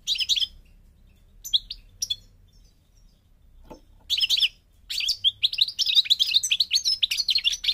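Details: North African goldfinch, parva, Morocco: a few short twitters, a quiet stretch, then a sustained run of quick, jangling, warbled notes building to the end.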